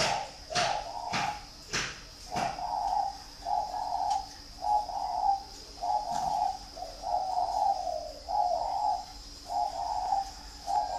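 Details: Pet dove giving a steady series of low, purring coos in short bursts about every second, after a few sharp taps at the start.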